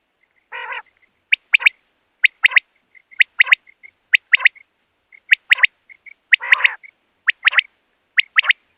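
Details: A common quail, recorded for catching quail, repeats clipped three-part phrases with quiet paired notes between them roughly every second. Two harsh, grating bursts break in near the start and middle.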